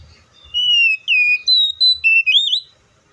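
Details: Whistled oriental magpie-robin song: a long descending note, then a run of short clear whistles rising into a quavering upward flourish.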